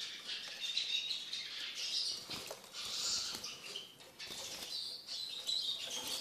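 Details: Tame caged Eurasian siskin twittering continuously in high, chattering phrases with short breaks, over rustling and light tapping in the cage.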